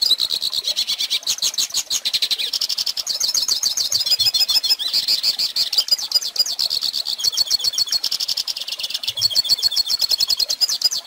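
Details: Extended hooded siskin song used to teach young birds: a long, continuous, high warble of rapid chattering notes and buzzy trills that keeps changing phrase without pause.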